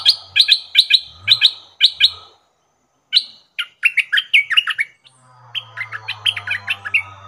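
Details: Stripe-throated bulbul used as a caged decoy facing captured wild birds, giving loud, clear, chattering phrases of quick paired notes, a short pause, then a tumbling run of sharp notes and a fainter burst over a low hum.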